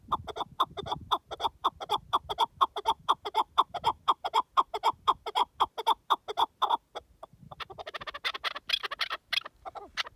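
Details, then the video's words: Wild partridge calling in open wilderness: a fast, steady series of harsh clucking notes, about two per second, continuing for some seven seconds before breaking into a noisier, scratchier burst of calls. "Pure Partridge Calls in the Wild"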